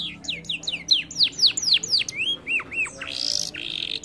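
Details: Canary song used as a lure to prompt lazy canaries to sing: fast descending whistled sweeps in quick series, rising and falling slurred notes, then a harsh buzzy burst near the end.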